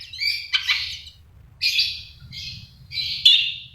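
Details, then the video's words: Long-tailed shrike singing actively in a song described as 'full isian', rich with fill-in phrases: bursts of scratchy, buzzy high notes in separate phrases roughly every second and a half, with a faint low hum beneath. "CENDET GACOR FULL ISIAN MEWAH SUPER"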